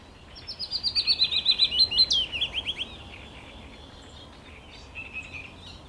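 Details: Willow warbler singing on 17 May 2021: a sweet cascade of about a dozen soft whistled notes that drift downward in pitch, then a brighter flourish near the end, followed by quieter scattered notes over faint background hiss.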